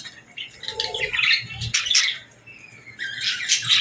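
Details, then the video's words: Baby budgies and lovebirds chirp while feeding and interacting at feeding time. Harsh chattering squawks come in clusters, with a short lull before a loud burst near the end. "Love Birds & Budgies Feeding Time Sounds"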